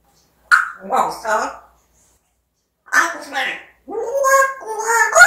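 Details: Captive African grey parrot talking: two brief phrases of speech-like syllables, then a longer run of clear, tonal, whistled syllables that step up and down in pitch, in a quiet indoor setting.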